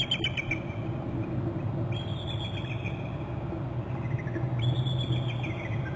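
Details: Bald eagle pair at their nest on Hornby Island, captured by a nest and territory cam as one bird flies off and alerts its mate: high, thin chirps with harmonics at the start, then two drawn-out whistled notes, over steady low rumbling background noise.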